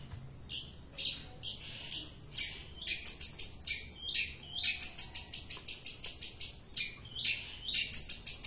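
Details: Long-tailed shrike singing actively: a varied run of high, sharp chirps and buzzy notes, with fast rattling trills repeated in bursts of about ten notes, against a quiet background.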